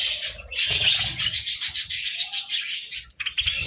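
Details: Budgerigars basking in the sun, heard as a short, busy stretch of scratchy, overlapping warbles and chirps over faint low rumbling.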